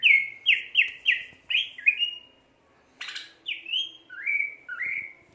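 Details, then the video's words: Greater green leafbird gacor song: a series of repeated rising whistled notes, a short gap, a harsh burst, then softer slurred whistles. "burung cucak ijo gacor"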